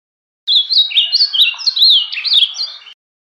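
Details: Ultramarine grosbeak delivering its Bahia-style song as one continuous phrase of rapid, rolling warbled whistles, notes sliding and looping up and down for about two and a half seconds.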